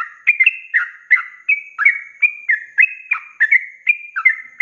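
A sooty-headed bulbul sings a fast run of bubbly, liquid whistled notes, several per second, mid-pitched and slightly rising, with no other sounds.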